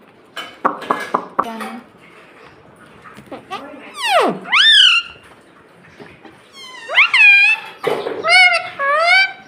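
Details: Pet talking parrot that says "mummy". Quiet ticking and scraping sounds give way to a loud swooping vocal note, then a burst of rapid, high, voice-like chatter near the end.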